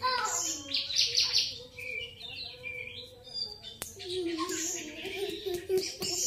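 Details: Grey-cheeked bulbul with varied high chirps, whistled slurs and falling notes, interrupted by a sharp click, above a soft continuous lower tone.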